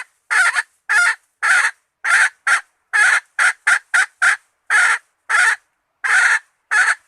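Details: Hen call used as bait, with loud hoarse clucks repeated irregularly, about a dozen over seven seconds, some in quick pairs, against silence.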